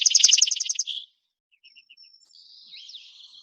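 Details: Song sparrow singing on Protection Island in spring, a song likened to "put on your tea kettle": a fast run of bright, buzzy repeated notes, then soft short chips and a thin trill fading off.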